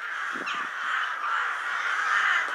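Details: Wintering rooks gathering in great flocks at Ottakring cemetery, Vienna, shortly before dusk at a pre-roost assembly site, give a dense, continuous chorus of harsh, overlapping caws with no pause between voices.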